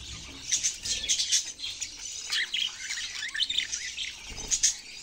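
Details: Budgerigars giving scattered harsh squawks and chirps, clustered near the start and end, with quieter chatter between.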